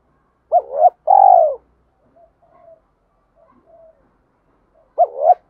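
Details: Spotted dove cooing to challenge a rival to fight: two loud phrases, a short double-humped coo then a longer falling drawn-out coo, with faint soft notes between and a repeat at the end.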